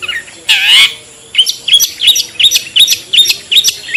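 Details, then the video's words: Cendet or pentet, the long-tailed shrike, in a lure recording: one drawn-out harsh screech, then a brisk run of about ten bright, upward-flicking chirps in quick succession. "suara pikat burung cendet/pentet/toet toet"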